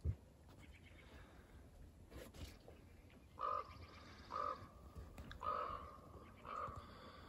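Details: A wild common raven gives four hoarse, nasal croaks, each about half a second long, roughly one per second, over a steady low rumble, with deer nearby.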